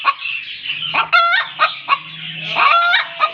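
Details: Chicken hen making noise after she lays an egg: irregular short clucks about once a second, plus two longer, rasping, harmonic squawks, one near the middle and one toward the end.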